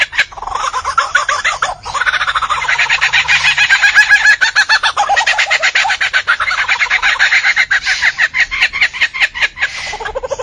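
Albert's lyrebird pours out a dense, unbroken stream of rapid chattering and ringing notes, changing phrase every second or two without pause.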